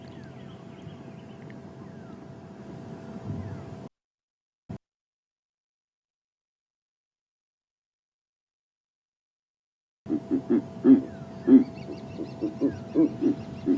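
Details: A pair of Verreaux's eagle-owls at sunrise on a safari drive, about 9 °C, both calling, male thought to call, shaking as they call: a run of deep, grunting hoots, about two a second, after idling engine hum.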